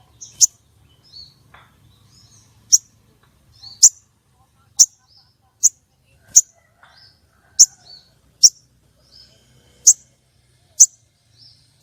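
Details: Female common iora calling to stir up males for contests: very high, clipped chirps repeated roughly once a second, each with a faint softer note between, against near silence.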